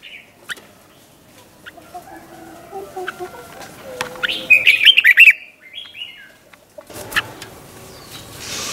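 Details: Red-whiskered bulbul giving a short doubled-style '100 Achip' phrase meant for training young birds: one brief run of quick warbled notes in the middle, surrounded by scattered clicks and faint background noise.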